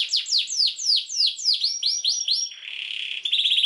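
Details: Energetic canary song meant for training juvenile canaries: a series of loud downward-sweeping whistles, each about a third of a second apart, then a softer buzzy tone and a closing rapid rolling trill.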